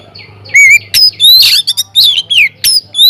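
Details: Oriental magpie-robin singing loudly in a flight aviary to lure other birds into song: a wavering whistle, then piercing upslurred whistles, a harsh rich burst and several clear descending slurs, over a low hum.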